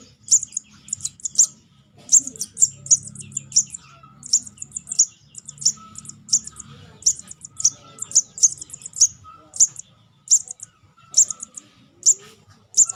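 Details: Young sogon, calls used as a lure: a busy, continuous string of high, thin chirps and twittering notes, often doubled, repeated several times a second, with low background noise.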